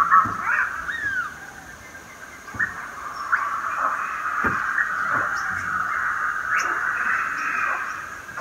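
Chestnut-fronted macaws give harsh, raucous squawks and grating chatter, several screechy calls overlapping in a steady rough din.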